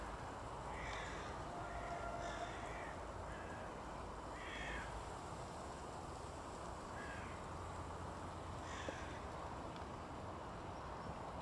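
A European green woodpecker gives harsh, nasal 'kyak' notes in short bursts, about six over eleven seconds, over steady wind-like rushing noise.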